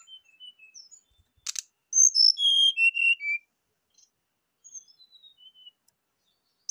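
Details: Rufous-chested flycatcher lure song to encourage a bird to sing: scattered soft high notes, a sharp click, then a loud descending series of whistled and slurred notes, followed by quieter twittering.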